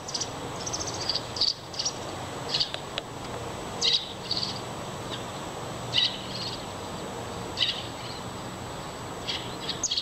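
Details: Young American robin siblings chirping and pestering each other: short, high, sharp chirps in scattered bursts every one to two seconds, some doubled, over a steady broadband outdoor hiss.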